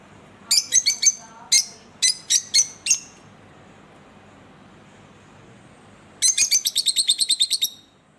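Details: Green pair of Fischer's lovebirds kept as pets chirping: two groups of loud, high, harsh chirps in quick succession, a quiet gap of three seconds, then a rapid rattling burst of about twelve chirps.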